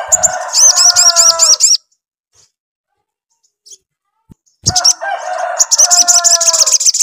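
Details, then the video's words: Sogon singing energetically to draw a reply from another sogon: fast series of high, arched, repeated notes over a lower, buzzy, layered warble, in two bursts separated by a silent gap of about three seconds. "SOGON GACOR RANGSANGAN AGAR SOGON CEPAT NYAUT"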